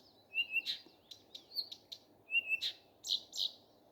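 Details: Common nightingale in morning song: a long flat whistle, then bursts of loud buzzy notes and clicks, and the whistle again, in a short varied phrase.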